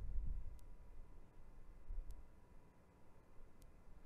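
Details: Low muffled rumble with soft regular ticks and no animal calls.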